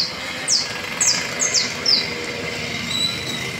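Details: Canario basto trilling in the Las Delicias valley: a handful of high, sharply descending whistled slurs in the first two seconds, then a faint thin note, with a steady low hum underneath.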